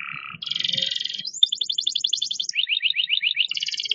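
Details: Singing canary performing movements, delivering a chain of distinct trills: a lower warbled roll, a bright buzzy trill, then fast repeated rising and falling chips in rapid rhythmic series, ending on another high roll.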